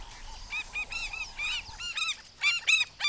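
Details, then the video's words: Several parent African skimmers, guarding chicks only days old early in the season from a monitor lizard, give harsh, nasal, yapping alarm calls, overlapping in quick bursts about every half second, rising in intensity toward the end. "African Skimmers Protecting Their Chicks from Monitor Lizard"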